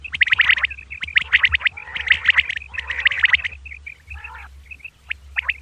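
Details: Dawn calling of a female common quail: dense rattling bursts of chirps for about three seconds, then sparse high whistles and one hoarse note, with a low background hum.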